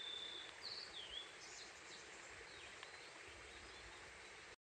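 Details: A blue-and-white flycatcher sings in the Kaisho forest early on the morning of 29 April: a brief phrase of clear, high whistles with a falling slur in the opening second, then fainter notes over a steady hiss of forest noise.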